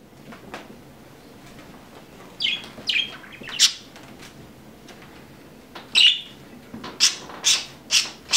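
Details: A male pet budgerigar, filmed while head-bobbing, gives short, bright chirps in irregular bursts, then a quicker run of sharp notes.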